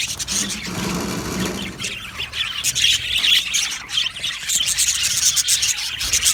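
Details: Happy budgerigars chirping together in an aviary colony make busy, high scratchy chatter with scattered sharper squeaks. A lower murmuring sound appears briefly in the first two seconds.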